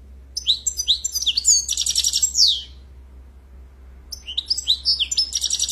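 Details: European goldfinch (Carduelis carduelis), song.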